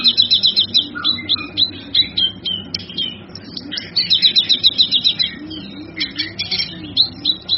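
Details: Male kinoy singing as a master song for training other birds: fast, high buzzy trills of repeated notes alternate with sharp whistled chirps and lower slurred notes, with a steady low hum underneath.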